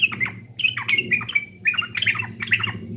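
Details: East Javan yellow-vented bulbul as a lure recording, a dense, rollicking bubbly phrase of quick slurred, liquid notes repeated in short bursts, with steady low background hum beneath.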